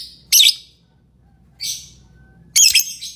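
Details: Lovebird chirping: three short, rough, high-pitched calls spread over three seconds, the middle one softer and more muffled, the last a harsh stuttering burst.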